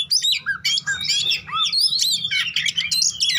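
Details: Fighting song of an oriental magpie-robin, meant to get a bird that has stopped singing to sing again; dense, energetic medley of sharp whistles, slurred rising notes and scratchy chatter without pause.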